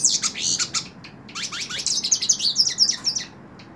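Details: Short burst of song from a hooded siskin held in the hand: a quick run of high chips, a brief pause, then a tumbling, buzzy warble of slurred notes.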